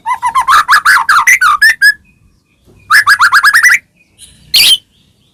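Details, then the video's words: White-rumped shama song used as a lure for caged birds, loud ngeplong style: a rapid tumbling series of varied chirps and twitters, a quieter pause, a second fast rising burst, then a harsh squawk. "murai batu gacor ngeplong PANCINGAN murai batu agar bunyi jadikan burung murai gacor EMOSI NYAUT"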